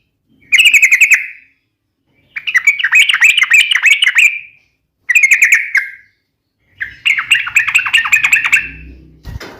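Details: A sooty-headed bulbul gives a sharp, rapid fighting song used to provoke other bulbuls. The sound comes as four bursts of fast, harsh, trilled chatter separated by silent gaps, the last burst over a low background rumble.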